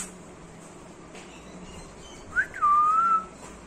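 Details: Pet Alexandrine parakeet at playtime indoors: after near silence, a short rising note and then a clear, steady whistle that slides gently upward and holds for about half a second, with faint room hum underneath.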